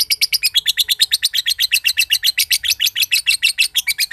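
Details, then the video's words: Green-variety lovebird from Mojokerto trilling in ngekek style, with quick rasping notes repeated evenly about six per second, loud and continuous. "LOVEBIRD JOSAN NGEKEK PANJANG BIKIN BURUNG IKUTAN NGEKEK"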